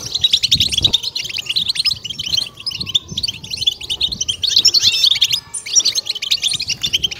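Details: European goldfinch 'batbata' twittering, used to stimulate and excite kept goldfinches: dense, high, rapid chattering notes overlapping continuously, with a brief low thump near the start and a faint falling whistle across the middle.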